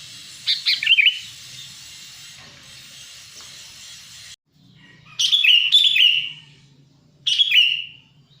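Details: Sooty-headed bulbul (kutilang emas) lure call used to attract wild birds and to prompt silent bulbuls to sing: short bright chirped phrases around 0.5–1 s, then two louder bursts of rich warbled notes near 5–6 s and 7.5 s, over faint hiss.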